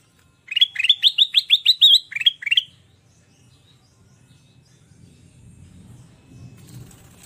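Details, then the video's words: Lively sooty-headed bulbul song for luring and tutoring other birds. A fast run of about eleven sharp, bright notes in two seconds, repeated and slightly rising, then a faint low rumble of background noise. "Suara burung kutilang Emas gacor//untuk pancingan dan masteran"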